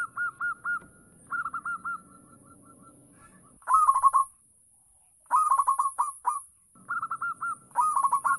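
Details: Repeated phrases from a local zebra dove used as a lure for other doves, alternating short runs of even coos with rapid rolling bursts and silent gaps.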